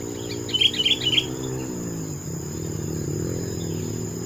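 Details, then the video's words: Sooty-headed bulbul giving one brief phrase of quick, bubbly chirps, followed by a steady low mechanical hum that continues to the end. "Suara burung Kutilang TOPCER merdu sekali"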